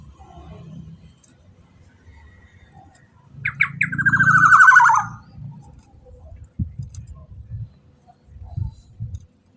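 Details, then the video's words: Black-naped oriole call used as a lure to get other orioles singing. A few sharp notes run into one buzzy, grating, downward-sliding rasp amid a low rumbling hum, followed by scattered thumps and knocks. "Suara Pikat POWER KEPODANG Emas AGAR Ikut BUNYI dijamin nyaut KICAUAN KEPODANG EMAS"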